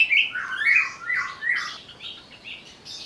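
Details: Greater green leafbird, agitated, used as a lure to provoke song: harsh, squawky, slurred phrases rising and falling, coming in uneven bursts and fading toward the end.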